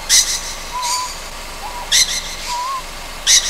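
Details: Night recording of a young Ryukyu scops owl, Amami Ōshima: short rising-falling whistled notes alternate with harsh, loud high-pitched hissing screeches about every one and a half seconds.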